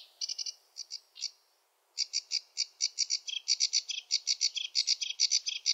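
A sedge warbler sings a fast, scratchy chatter of varied notes, starting with a few stuttered phrases, then a brief pause, then a quickening jumble.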